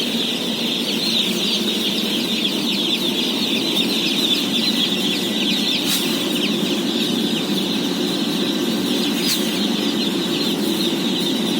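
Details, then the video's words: About 17,000 day-old chicks at feeding time on a farm, producing a dense, unbroken chorus of shrill, high peeps layered over a steady low rumble, with a couple of sharp clicks partway through. "BABY CHICKEN SOUNDS"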